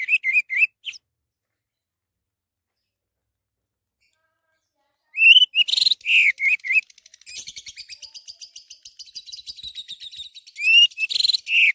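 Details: Orange-headed thrush song used to lure other birds into singing: short clusters of whistled notes separated by a long pause, then a rapid, steady run of dry repeated notes, ending with loud whistled and buzzy phrases.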